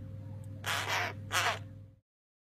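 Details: Two hoarse, rasping begging caws from crow chicks in care, the second slightly louder, over a low droning hum that cuts off abruptly.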